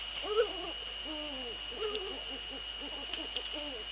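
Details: Eurasian eagle-owls at a nest in the Netherlands, female on the nest and male close by, on a February evening at 19:15; a series of short, wavering, nasal harmonic calls repeated roughly every half second, with faint clicks behind.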